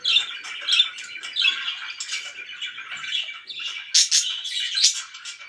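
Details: Very loud pet budgerigar chatter of squeaky, warbled notes, with a burst of sharp high chirps about two-thirds of the way through.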